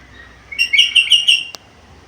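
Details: Black-capped lory, described as a lively caller that can talk and makes varied sounds; a brief burst of four or five quick, bright chirps at an even pitch, clean background.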